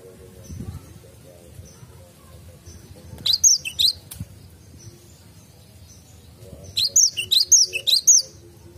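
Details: Cinereous tit singing in a garden: two short bursts of high, sharp chirped phrases separated by several seconds of quiet, with faint low rumble underneath.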